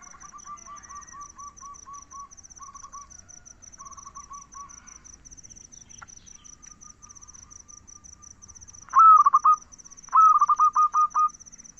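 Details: Soft, evenly repeated low coos open, then a pause; later a zebra dove gives two strong phrases, each a rising note breaking into a quick stuttered trill. A constant high insect chirping pulses in the background.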